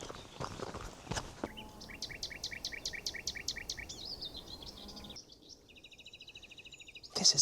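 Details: Common Nightingales, at least three, singing around roadside scrub at about 6:30 in the morning during a big birding day; a run of repeated, evenly spaced loud whistled notes gives way to a fast, dry rattling trill, with brief noisy bursts at start and end.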